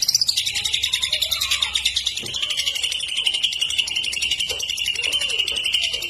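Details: Cucak ijo, the greater green leafbird, delivers a long unbroken high trill of rapid chipping notes in vigorous song. The trill holds a steady pitch throughout and carries kapas tembak and lovebird imitations.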